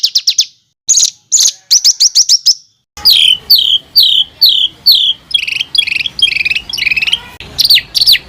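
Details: Rough, harsh songbird delivery meant for training competition fighter birds: short bursts of rapid clipped notes, then a run of loud downward-slurred notes repeated roughly twice a second, ending in scratchy chatter.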